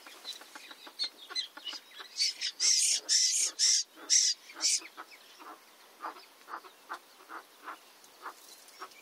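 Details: A Cheer pheasant (Catreus wallichii), one of a pair with newly hatched chicks, gives harsh, breathy clucks about twice a second. The notes swell into a louder run midway, then fade back to softer ones.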